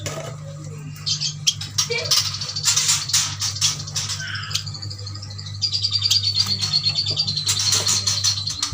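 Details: High twittering from a group of caged Kalimantan yuhinas, male and female, bought as a bunch: bursts of clipped chirps and clicks, then a sustained high whistled line under scattered ticks, over a steady low hum.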